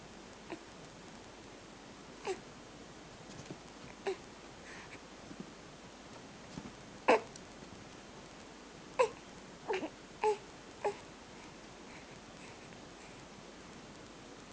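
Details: A hungry lark gives short, scratchy, harmonic squeaks, about eight scattered over fifteen seconds at an uneven pace, against a quiet indoor hiss.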